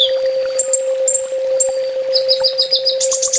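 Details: Olive-backed sunbird (kolibri ninja) in a 'full tembak' master song used to train kept birds: sharp high chirps and short thin trills, building to dense rapid ticking near the end, over a steady low electrical hum.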